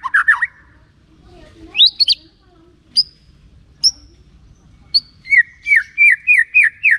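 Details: White-rumped shama song played as a lure to draw other shamas into singing: varied whistled phrases with pauses, ending in a rhythmic series of six downslurred notes about every third of a second.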